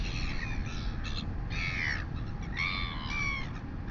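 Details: A royal albatross chick in New Zealand begs during a late-morning feeding by its mother, August 2020. Drawn-out, harmonic, squealing calls of about half a second each repeat in three or four pulses against a constant wind roar.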